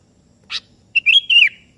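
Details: Kutilang kebo, the sooty-headed bulbul, calling a rival: a short chip followed by a fluid whistled phrase that steps up and then glides down, clear against a quiet background.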